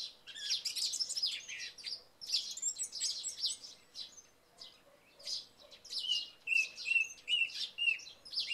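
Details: After night rain, a song thrush sings at early morning while sparrows chirp. Rich phrases come first, then a clear whistled note is repeated five times in a steady series.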